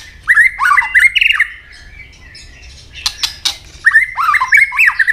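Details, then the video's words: White-rumped shama in its fighting song, a bird said to be changing plumage, with a firm tail snap. Fluting whistled notes swing up and down in two bursts, separated by a quieter gap of dry clicks and crackles. "chòe lửa chuyền hót đấu nết đập tạch đuôi chắc,kích chòe lửa hót đấu chớm lửa"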